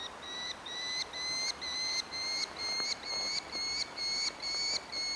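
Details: Orphaned young Merlin begging for food in Engerdal, Norway, on July 4, 2011, gives harsh, nasal, slightly rising notes about twice a second in a steady series; light background hiss.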